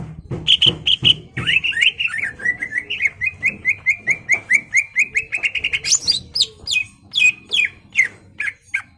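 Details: Greater green leafbird singing vigorously to stir a rival's aggression: a long, steady series of short whistled notes repeated about twice a second, then louder, higher downslurred whistles. Some clicking is heard at the start.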